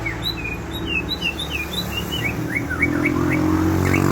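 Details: Aceh white-rumped shama singing lively while kept outdoors: a steady stream of short whistled notes, many slurred up or down, following one another rapidly over a low background hum.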